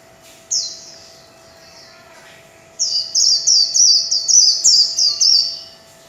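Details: Líu chòe song of a kept warbling white-eye: one high sweeping note, a pause, then a long unbroken chain of quick, bright, descending twittered notes lasting about three seconds.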